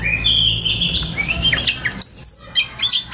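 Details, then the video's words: White-rumped shama, relaxed singing for teaching young birds: a long smooth whistled note wavering in pitch, a few quick slurred notes, then high scratchy chips after a brief gap. "SUARA KACER SANTAI LANJUT KONSLET Pas Buat Masteran Kacer Bahan Muda Hutan"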